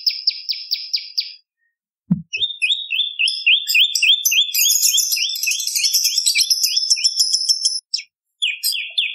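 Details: Bar-winged prinia song, compiled as a tutor and lure recording for songbirds: a fast run of buzzy, high chirps, then after a brief pause a long series of sharp rising notes repeated about three times a second, with a thud.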